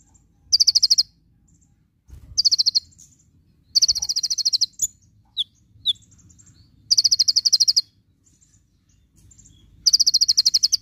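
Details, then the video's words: Javan white-eye song of the full tembakan type: dense, high-pitched rattling trills lasting under a second, delivered in bursts every two to three seconds, with isolated thin chirps in the pauses over a quiet background. "Masteran konin full tembakan"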